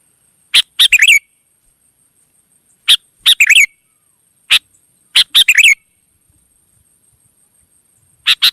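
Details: Sooty-headed bulbul in the wild, singing responsively: a lone sharp chirp followed by a rapid chattering phrase, this pattern repeated three times with pauses of about two seconds.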